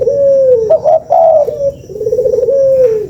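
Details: Spotted dove giving a lure call, a low purring coo that slides down, then a clipped note and a longer rising-falling coo, ending in a tremulous trilled coo.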